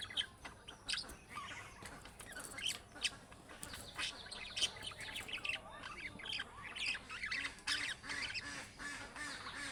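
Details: Budgerigars giving chick-style calling notes that draw answers from other budgerigars: continuous busy chatter of squawks and high chirps, with a faint low repeated hum underneath.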